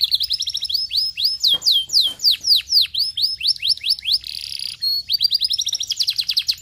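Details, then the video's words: Canary song played to stimulate another canary to sing: rapid high descending whistled slurs about four per second, a brief buzzy burst near the middle, then a fast chattering trill to the end. "Provado ser muito rápido para estimular o som de um canário"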